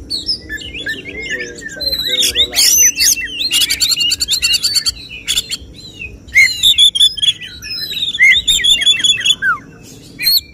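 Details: Oriental magpie-robin at a songbird contest, its 'tembakan' song a long run of rapid chattering trills, buzzy rattles and sweeping whistled notes, with short pauses between dense bursts.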